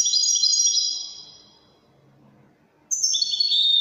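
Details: European goldfinch, Widani song style: a fast glittering trill that trails off into near silence, followed by a sharp renewed burst of high sliding notes.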